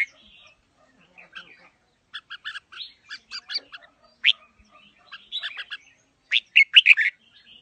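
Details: Red-whiskered bulbul, a wild-voiced fighting bird, chattering in short repeated bursts, one sharp whistle in the middle, then a loud final phrase of rich warbled whistles.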